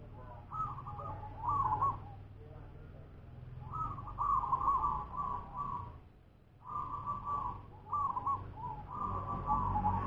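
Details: Local wild zebra dove singing several rolling, trilled coo phrases with brief pauses between them, over a steady low background rumble.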